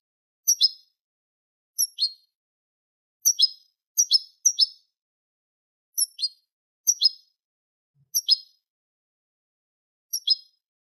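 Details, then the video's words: Eurasian goldfinch tutor recording, Manolo style, for teaching young goldfinches and hybrids: crisp doubled chip notes dropping in pitch, repeated about every one to two seconds, around ten times, with a quiet background. "شريط كوبية ملقا (Manolo) original لتلقين فراخ الحسون والهجين"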